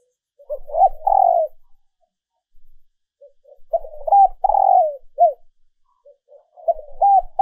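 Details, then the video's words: Female dove calling to stimulate males, a recording used for training decoy birds: three separate bursts of low, hollow coos, each a rising-falling note followed by a longer throbbing one and a short drooping tail, with silent gaps between. "Tiếng Chim Cu Mái mp3 kích Trống Mới Nhất"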